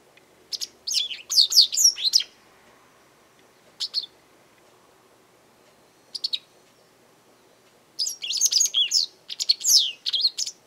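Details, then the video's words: A vocal Japanese wagtail seen from a garden, possibly demanding, threatening or asserting territory, gives clustered high twittering chirps, with a long burst at the start, two single notes, then another rapid run near the end. "よく鳴くセグロセキレイ Japanese wagtail"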